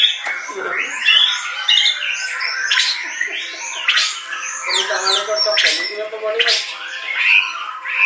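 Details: White-rumped shama delivering a busy, high-pitched song. Sharp whistled slurs and downswept notes mix with harsh chattering bursts in quick succession.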